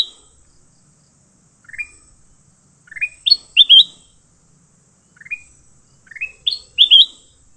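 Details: A caught leafbird in a fight calls in bursts: a thin rising chirp, then several quick, emphatic upward-sweeping notes ending in a loud pair, with the sequence given twice.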